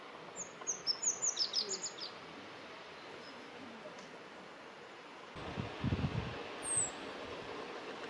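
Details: Rock bunting (Emberiza cia) at Penha Garcia, Idanha-a-Nova, Portugal, singing one brief, very high, thin jingling phrase of about ten quick notes; later a low rumble of wind or handling noise and one more high note.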